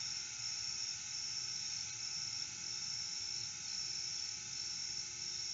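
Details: A steady mechanical hum with a high, constant whine and a broad hiss runs throughout, with no animal calls.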